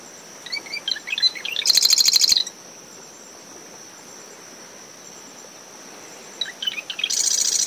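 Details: Early-morning marsh wren song near a nest in coastal dune shrubs after a passing storm. Two songs, each a few sputtering notes followed by a dry, rapid mechanical rattle. A constant high cricket whine and brisk wind with surf run underneath.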